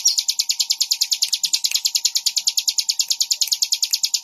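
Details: Bar-winged prinia (ciblek) calling in a lively, regular chain of high chirps, several each second, with a faint hum beneath.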